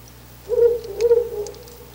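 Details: Ural owl calling very close to its nest box in the early morning of 10 August 2019: a low, mellow hoot of two joined notes, the second wavering and fading, over a faint steady hum and scattered light clicks.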